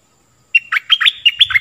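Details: Stripe-throated bulbul song used for teaching young birds and luring wild birds: a short bright phrase of rapid, warbled notes that rise and fall, opening with a clear whistle, after brief silence.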